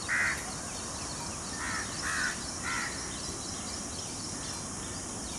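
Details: Indian peafowl: a peacock gives loud, harsh, nasal calls, three or four short blasts in the first three seconds, over steady background hiss.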